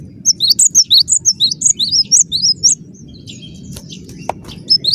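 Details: Gelatik batu (cinereous tit) in tight, lively gacor song: a fast string of high whistled down-up phrases fills the first half, then quieter scattered notes over a constant low rumble.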